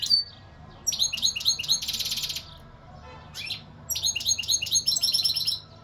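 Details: European goldfinch singing in two lively phrases of rapid, liquid twitters and sharp chirps, broken by a short pause, with a faint low hum underneath.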